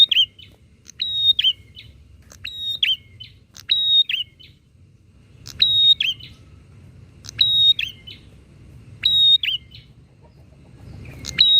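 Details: Bar-winged prinias calling back and forth to provoke other prinias: a long run of about eight identical phrases, each a click, a sustained piercing whistle and a curled warbled ending, repeated at a steady pace.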